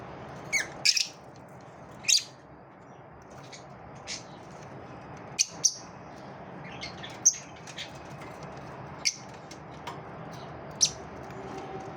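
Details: Pet lovebirds in a competitive moment, giving short, sharp high squeaks and chirps every second or two over a steady indoor hum.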